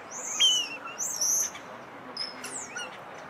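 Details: Common starling at a restaurant, waiting to raid a table, sings a peculiar chattering song of high drawn-out whistles, downward slurs and brief squeaky notes, with a faint background hiss.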